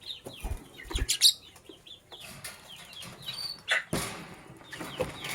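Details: Sky Blue Opaline and Cobalt lovebirds chirping in the morning, a busy mix of short high twitters and abrupt raspy bursts roughly every couple of seconds, with some low thumps.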